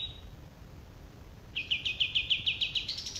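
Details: After a brief thin note and a quiet pause, a male olive-winged bulbul starts a fast, evenly pulsed high trill that lifts slightly at the close.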